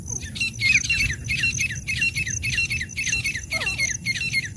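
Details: Female and male black francolin giving harsh, overlapping chirps in quick succession, each note twisting downward, about two per second, with a steady high hum behind.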